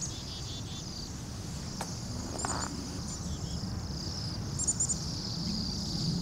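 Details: Bohemian waxwings, some 200-300 together, in Anchorage at minus 8 degrees F; thin, high buzzy trills overlap continuously, with brief sharp clicks and a deep, constant urban rumble.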